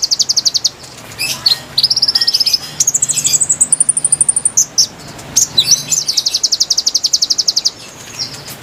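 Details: Recorded konin song meant to attract wild birds: bright, rapid trills of repeated high notes that climb in steps, sharp chirps in between, and a long, even trill near the end.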